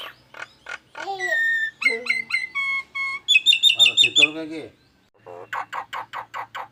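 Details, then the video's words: Nias hill myna with strange, alarm-like sounds; sliding whistles, a run of evenly repeated piping notes, then buzzy clipped notes and harsh repeated rasps. "JALAK NIAS BERSUARA ANEH TAPI NYATA!!! ALARAM ANTI MALING"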